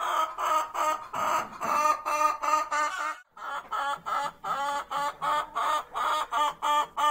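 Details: Hen's egg-laying song before laying: a steady run of nasal, harmonic clucks about three per second, briefly broken by a pause, then resuming in an even rhythm.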